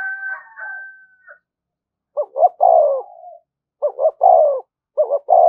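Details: A higher tonal sound opens, then a spotted dove coos insistently as a lure: three low phrases of two short notes and a drawn-out descending coo.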